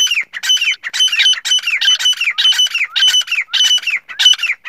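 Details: Male black francolin calling to attract a female: loud, harsh, grating calls in quick bursts about twice a second, with ringing high notes threaded through.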